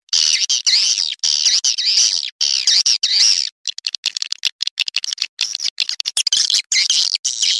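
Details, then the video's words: Swiftlet lure call: wavering high buzzy trills in short bouts, a stretch of rapid clicking in the middle, then more buzzy twittering. "SUARA WALET PILIHAN TERBAIK"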